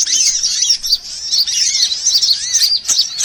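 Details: Lure recording of mixed sunbirds meant to draw birds in: continuous high, tinkling chatter from several birds at once, with repeated arched whistled notes and brief sharp ticks near the end.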